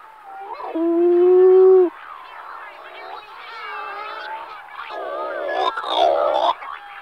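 Scopoli's shearwater giving loud, nasal, wailing cries: a long steady moan, then quieter overlapping calls and a harsh, bleating burst near the end.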